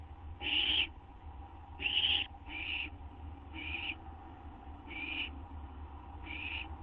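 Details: Owl at 12:38 AM on 8 September 2011 as a gopher or vole treat is offered. Two loud, harsh screeches open, followed by softer hissing repeats roughly every second and a quarter, over a low electrical hum.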